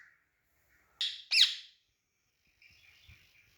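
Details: Green parrot kept as a pet, perched on a rod: two loud, rough squawks in quick succession after a soft chirp, then a faint, scratchy chatter and light tapping.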